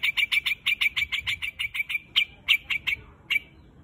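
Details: A white-headed quạch mốc calling the flock: an even string of quick, piercing chip notes that slows into spaced single chips and then fades, with little other sound.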